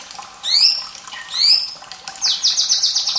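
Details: White-rumped shama song with trickling water, used to stimulate young or reluctant birds: two loud, sweeping downslurred whistles about a second apart, then a fast, ringing high trill.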